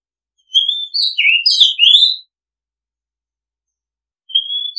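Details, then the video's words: Oriental magpie-robin song: a burst of clear whistled notes and short chirps, some rising and some falling, lasting under two seconds, then a pause and a single thin whistle. No other sounds. "Oriental Magpie Robin Sound Long play เสียงร้อง นกกางเขนบ้าน"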